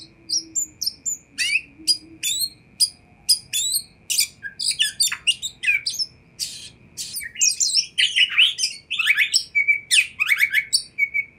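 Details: Full, fast Oriental magpie-robin song played to make other magpie-robins respond; dense varied mix of sharp downslurred chips, high squeaks and whistled trills with few pauses, steady background hum.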